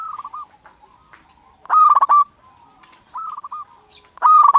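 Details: Local zebra dove, a lure bird meant to rouse other zebra doves into answering, repeating a rapid trilled coo phrase roughly every one and a half seconds, alternating loud and softer renditions, each ending in short clipped notes.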